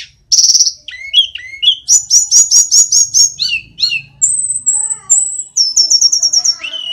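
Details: Vigorous song of the Sulingan gunung or tledekan, an Indonesian flycatcher-family songbird: high, pure whistles mixed with rapid chattering trills and falling slurs, steady stream of notes with a brief pause midway.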